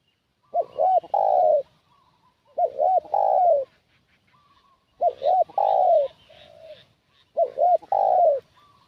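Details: Spotted dove; call; luring wild doves as a decoy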